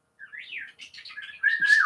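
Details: Kiwi, a male pet bird, whistles at his owner: a quick run of rising and falling notes, then a louder sustained whistle that slides downward.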